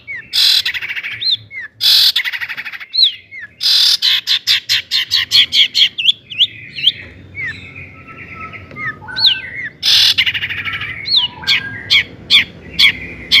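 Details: Long-tailed shrike singing an imitation-rich song to provoke other shrikes: harsh bursts, rapid even ticking runs, and many curving whistled slides of mimicked birdsong.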